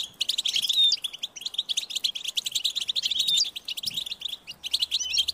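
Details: Hungry European goldfinch chicks call insistently for their parents to feed them. A fast, unbroken stream of high chirps and twitters comes in bursts, with an occasional pure whistled note.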